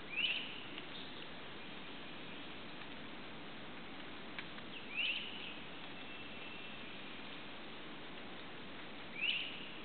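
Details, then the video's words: Red-shouldered hawk perched on a twig overlooking a recently cleared lot near Suwannee River State Park, Florida, in July 2011, calling to its nest-mate: three short, high, down-slurred calls spaced about four seconds apart over a steady background hiss. "the red-shouldered hawk calls out"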